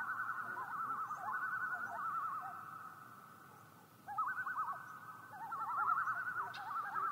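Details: Common loon recorded by the National Park Service: wavering, quavering mid-pitched calls that rise and fall in rapid tremolo runs, starting softly and coming back louder after a brief lull, with faint background noise.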